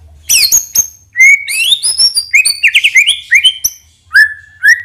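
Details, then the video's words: White-rumped shama in captivity, delivering sharp high notes followed by a flowing series of clear whistled, slurred phrases and two final rising whistles. "PANCINGAN MURAI BATU NEMBAK ISIAN INI | SHAMA BIRD"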